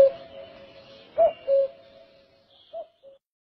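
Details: Common cuckoo in Kashmir giving a loud falling two-note cu-coo, then a fainter, more distant-sounding cu-coo pair, over a quiet steady background hum.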